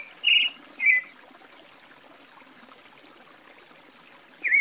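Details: Creamy-bellied Thrush giving two quick whistled phrases, then a long quiet gap of over three seconds before a final slurred note, against soft steady background noise.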